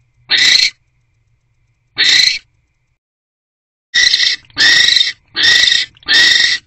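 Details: Male barn owl delivering a rodent to a nest box at 10:17 pm on 20 January 2024, then mating; raspy hissing screeches, two spaced apart, then four in quick succession with short gaps.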